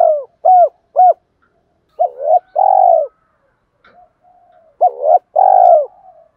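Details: Spotted dove, male and female birds, challenge call used to provoke other doves: clear low cooing phrases, a few short rising coos followed by longer drawn-out coos in pairs, with gaps of silence between groups.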